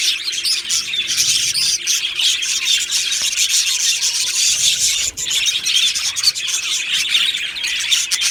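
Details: Budgie colony in an aviary, continuous high-pitched chattering and raspy warbling from many birds overlapping, with a brief dip in the din near the middle and a few sharper squeaks.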